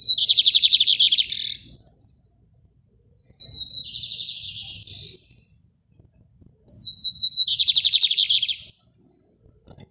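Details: Caged lined seedeater, cage held in hand in Maranhão, Brazil, repeating rajadinho song. Fast high pulsed trills alternate with a buzzy middle phrase, the trill returning after a pause of a few seconds.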